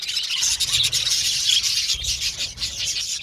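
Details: Crowded budgerigar aviary with a constant overlapping mass of shrill, fast chirps and squeaky chatter, steady and loud throughout, with light low background noise.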